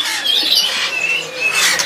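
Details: Caged Oriental magpie-robin from Medan, tail about 17 cm, at a bird market kiosk in Pramuka, East Jakarta, singing high, clear whistled phrases that slide and waver against a dense chatter of other caged birds.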